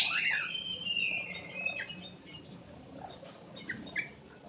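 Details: Ruby-throated bulbul song used as a lure: a loud burst of whistled notes opening with a sweeping slide, then a long level whistle easing downward, followed by scattered faint chirps over a soft background hiss.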